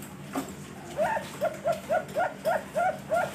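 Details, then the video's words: Captive zebra dove of the Bangkok line from a bird farm in Pasuruan, East Java, Indonesia: eight soft, arched coo notes in quick even succession, roughly three per second, over a low background hum. "SUARA PERKUTUT BANGKOK"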